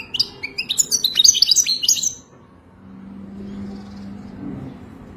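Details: Moroccan goldfinch singing its Wadani song: about two seconds of bright, twittering, high notes in quick succession, followed by quiet with a low droning hum.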